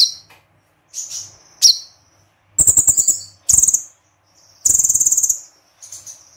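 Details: Olive-backed sunbird, called konin, mixing thin whistled notes and sharp chips with fast, metallic trills of repeated high notes, the longest burst around twelve notes, in a 'tembakan' combination style.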